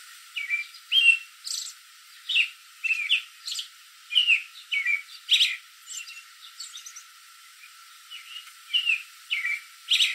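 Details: Late-evening American robin in a backyard tree calling out to other robins in the area, which answer: a steady run of bright whistled chirps and short slurred notes, roughly two per second, some clustered in quick doublets.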